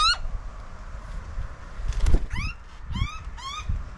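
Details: Butcherbird in an Australian suburb in summertime, an adult feeding its young: a few rising whistled upslurs, spaced and clear, over faint background rumble.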